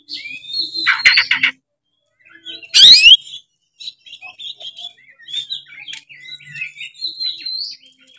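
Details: Singing oriental magpie-robin, loud open ngeplong style meant to rile other magpie-robins: a rapid stuttering burst of notes, a harsh loud buzzy phrase, then a long string of varied soft whistles, chips and a rising slur.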